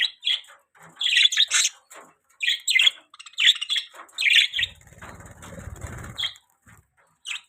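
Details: Budgerigars chirping in bright, clipped bursts with brief pauses, while a low rumbling noise runs underneath for a couple of seconds midway.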